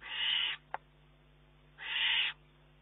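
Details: Juvenile Eurasian eagle-owl begging food from its mother on 19 June 2011: two loud, drawn-out hissing screeches about one and a half seconds apart, with a single sharp click between them.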